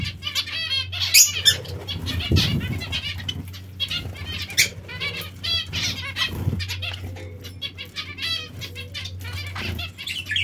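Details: Several finches at bath time give short, nasal, trumpet-like beeps in quick, overlapping bursts, with wing flutters, splashing and a low steady hum underneath.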